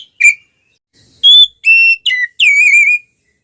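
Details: Aggressive ngeplong song of an oriental magpie-robin fighting with its tail opened, meant to provoke other birds: a brief note, then four strong pure whistles, the final one long and quavering, in near silence.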